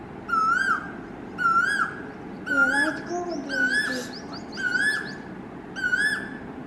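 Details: A male Asian koel gives six loud, rising whistled notes, about one a second, with fainter lower calls from another bird midway.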